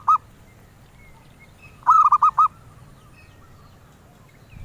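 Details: Zebra dove, a bird collectors pursue, with one short coo followed after a pause by a full phrase of five rounded, rhythmic notes; thin distant whistles in the background.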